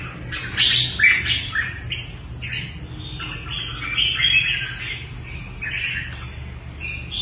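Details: Caged red-whiskered bulbul, a hopping competition bird, giving a busy run of sharp squeaky chirps and short slurred warbled phrases, loud at first then steadier, over a low steady hum.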